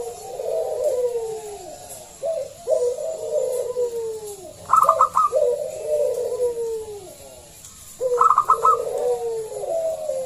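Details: Local zebra dove calling loudly to lure other doves into song; rhythmic falling coos in series, twice interrupted by quick stuttering high notes.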